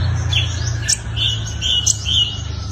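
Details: Five-colored sunbird fighting song used as a lure to draw in wild birds: short chirpy notes and brief upward sweeps repeated irregularly, over a steady low hum.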